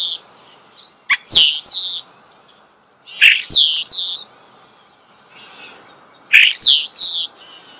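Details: Starling singing at close range, a natural recording: three matching phrases about every three seconds, each opening with a sharp click followed by harsh, high, buzzy descending notes, with quiet gaps between.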